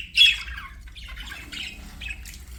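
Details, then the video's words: Pet budgie lets out one sharp loud squawk, followed by quieter scratchy chirps and warbles trailing off. "CUTE PET BUDGIES"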